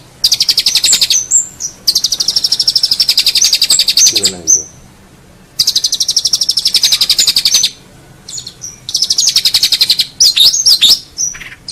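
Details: Long-tailed shrike song from a master recording for tutoring competition songbirds: long buzzy, rattling high trills lasting one to two seconds, broken by short pauses, with a few sharp slurred notes near the end.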